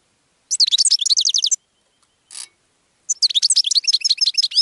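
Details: Goldfinch singing, a song used to attract other birds: a fast tinkling, buzzy twitter of high notes for about a second, a short rasp, then another long rapid twittering phrase, with no other sounds.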